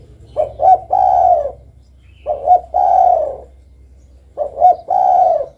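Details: Three repeated coo phrases from a spotted dove (tekukur). Each has two or three brief rising notes and a long, smooth coo that drops at the close, spaced about two seconds apart over a low electrical hum.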